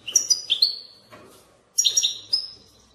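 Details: Batbata-style European goldfinch song for prompting other goldfinches to sing: two quick clusters of high, sharp, tinkling notes with a held ringing tone, separated by a brief pause.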